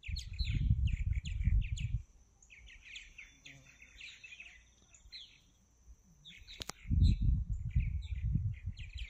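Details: Several martins flying around in the morning give a steady stream of high, gurgling chirps and twitters, with a person talking and low rumbling noise at the start and end.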